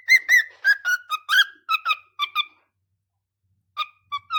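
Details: A pet cockatiel sings alone while the other birds sleep, a quick series of clear whistled notes stepping down in pitch, then a pause.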